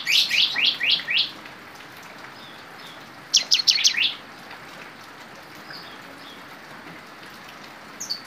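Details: Lively trained Cinereous tit singing prinia-style phrases: a rapid series of five sharp, high, descending chirps, a pause, then another quick cluster of bright notes, with a quiet interval afterward.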